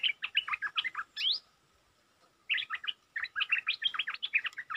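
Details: A provoked territorial stripe-throated bulbul delivers rapid, dense runs of chirpy, warbled notes, breaks off into a brief silence, then resumes with another fast chattering series.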